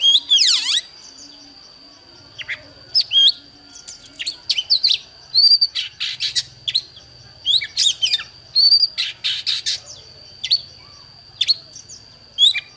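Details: Singing duel between an Oriental magpie-robin and a wild bird: opens with a long steep falling whistle, then scattered bursts of sharp trills, chips and twisting whistled notes, with a steady high electronic-like tone throughout.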